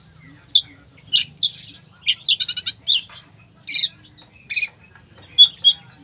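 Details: Varied 'full isian' song of an Oriental magpie-robin, meant to provoke a sluggish bird into singing, with sharp squeaks, a fast rattling series, and a few thin whistles between pauses.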